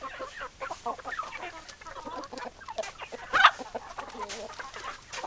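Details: Flock of chickens clucking steadily, soft wavering clucks layered together, one louder sharp squawk past the midpoint.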